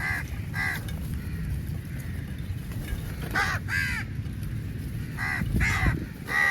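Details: Large number of crows fighting over meat: pairs of harsh, nasal caws separated by short pauses, louder paired calls in the middle and a run near the end, with constant low background rumble.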